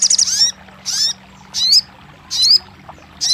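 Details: Crested jay, played to prompt a silent bird into singing: short high rattling bursts, each ending in a bright upward-sweeping whistle, repeated about every three quarters of a second with quiet gaps between.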